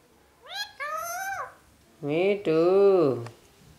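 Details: Talking pet parrot mimicking 'mummy papa': two high, squeaky, drawn-out voiced syllables, a pause, then two deeper, throaty, word-like syllables with a bent pitch, in a quiet room.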